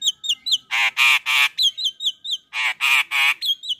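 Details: Male Javan myna (jalak kebo), morning full isian masteran song: short falling whistles repeated between loud harsh grating squawks that come in groups of three, the pattern heard twice.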